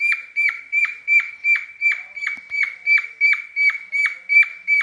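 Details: Clean recording of a courting pet cockatiel: an unbroken series of bright, dipping whistle notes, very regular at nearly three per second, with no other sounds.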